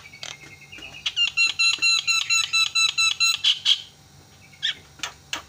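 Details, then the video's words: Javan myna call used as a lure to make quiet mynas start calling: a brisk run of about ten ringing, harmonic-rich notes in steady rhythm, then a couple of sharp harsh bursts and a few isolated short notes. "JALAK KEBO SUARANYA BIKIN JALAK PADA TERIAK"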